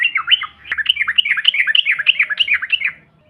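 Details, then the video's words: Yellow-vented bulbul giving a continuous, fast, bubbly chatter of looping, up-and-down notes for about three seconds, used as a lure to provoke other birds; one sharp click partway through. "TRUCUKAN BAHAN ATAU Ombyokan, Paut BISU Seketika BUNYI NGAMUK Mendengar SUARA INI"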